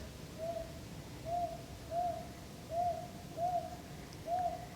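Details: An owl calls on Bongseosan, Korea, before the morning birds start on a cloudy day after drizzle: short, mellow, even-pitched hoots, about one every second, six in a row over a soft background hiss.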